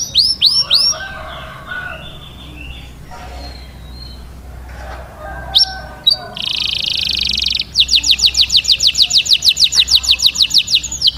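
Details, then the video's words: Canary singing in the Taghreed style, meant to teach young chicks to sing: quick curling whistles, softer warbled phrases, a dense buzzy trill, then a long run of rapid repeated high notes. "تغريد كناري لتدريب الفراخ على الغناء Taghreed canary to train chicks to sing"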